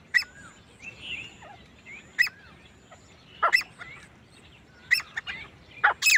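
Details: A lone male grey francolin gives loud, harsh, grating notes in bursts about every one to two seconds, with small birds chirping and whistling in the background.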